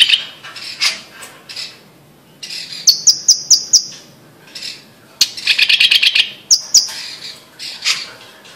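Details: Blue-masked leafbird from Sumatra, Indonesia, singing softer scattered phrases: rapid high ticks and chattering warbles separated by quiet gaps.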